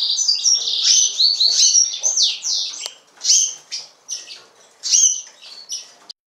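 A yellow-fronted canary sings a rapid, high, jumbled run of sweet twitters and trills, slowing into separate bright phrases toward the end.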